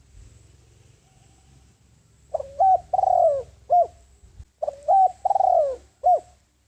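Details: Spotted dove decoy calling to draw in wild birds: two back-to-back phrases of soft, hollow coos, each with a drawn-out falling middle note, over faint low rumbling.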